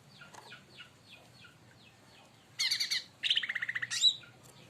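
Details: Leafbird singing in response to a provoking bird, beside palm sugar: faint soft chirps give way to loud, dense bursts of high buzzy twittering and sharp notes.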